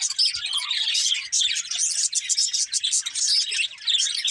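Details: Flock of budgerigars chirping: continuous high-pitched chatter of clipped tweets and buzzy warbles, briefly thinning around a second and a half in, then resuming densely.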